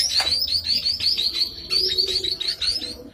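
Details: White-rumped shama in energetic song, here a fast, steady series of short, high, chipping notes repeated roughly ten times a second, with a faint low hum underneath.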